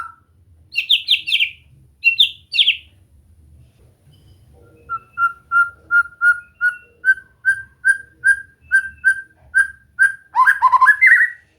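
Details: White-rumped shama song for relaxed singing practice: a few buzzy chattering bursts, a pause, then a long, even series of clear whistled notes about two per second, ending in a rapid warbled flourish.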